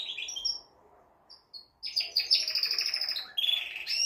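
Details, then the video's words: Male canary song used to prepare a female for breeding: a few short high whistles separated by near silence, then a loud continuous rolled trill and bright chattering phrases. "تغريد طائر كناري جبار يحفز الذكر ويهيج الأنثي لتزاوج"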